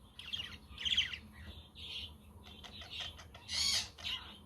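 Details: Parakeets chirping on a windy, sunny day, with a quaker parrot and a conure audible in the background: scratchy overlapping chirps and short buzzy notes, ending with a loud drawn-out squawk.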